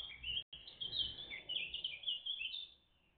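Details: A great tit family, recorded live on 14 June 2023 between 09:48 and 09:58, gives a continuous high, thin chittering for about three seconds almost without pause, with faint low background noise underneath.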